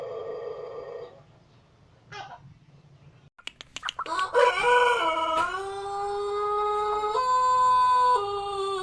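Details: White Pelung rooster crowing. A short, harmonic note is followed by quiet, then a few sharp knocks. A long, drawn-out crow follows, stepping down, then up and down in pitch as it holds for several seconds.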